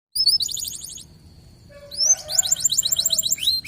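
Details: Local canary, a gacor bird, singing in a lure recording for other canaries: bright repeated high chirp notes, a sustained thin whistle after a pause, then fast rising and falling trilled phrases.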